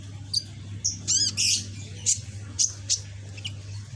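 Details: Young caged sunbird, red-backed, green phase, practising song: a loud rasping trilled burst and a harsh buzzy note, followed by scattered sharp high chirps, with a low hum behind.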